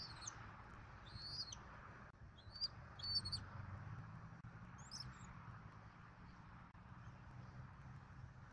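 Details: Bald eagle family at its Southwest Florida nest, filmed by nest camera during the evening meal, 14 February 2024. Short, sharp, high chips occur in a few scattered bursts against a constant low hum.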